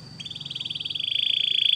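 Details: Belgian canary training song: a rapid, even trill of high pulsed notes that grows steadily louder and slightly lower, over a faint low hum.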